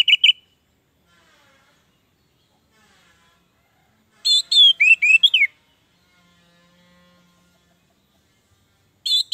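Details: Orange-headed thrush giving rich, varied whistled call phrases in short bursts about four seconds apart, mostly high-pitched and warbling, with quiet pauses between; used as a call and lure recording to prompt reluctant thrushes to sing.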